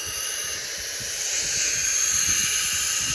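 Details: Baby barn owls in an owl box, soon to be ranch hands, give a steady, harsh, breathy hiss that swells slightly in loudness, learned from their mother; no other clear sounds. Barn owl.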